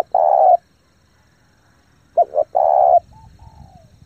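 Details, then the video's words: Spotted dove lure bird cooing to attract wild doves; a long steady coo, a pause, then two quick notes and another drawn-out coo, followed by a faint falling whistle. "chim cu gáy thúc gù tốc độ căng lửa kích mồi tập bổi cực mạnh"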